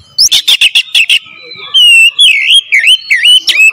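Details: Oriental magpie-robin lure song: six rapid harsh chattering notes, then a long clear whistle and a series of looping, dipping whistled phrases, very loud and crisp.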